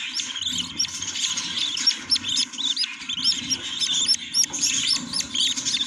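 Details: Budgerigars chirping at a nest with chicks: rapid, varied squeaky and warbling notes in quick succession, rising and falling, above a faint low hum.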